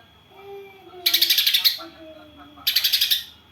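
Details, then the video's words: Greater green leafbird singing tree sparrow imitations: two loud bursts of fast, buzzy, stuttering notes, each under a second, with quiet low drawn-out whistles before and between them. "Cucak ijo isian Gereja vs Kapas Tembak"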